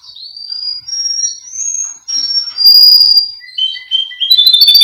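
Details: Male Russian canary belonging to a Miami, Florida breeder, singing for a training recording: smooth sustained whistles sliding upward, then a louder held tone and quick stepped notes near the end.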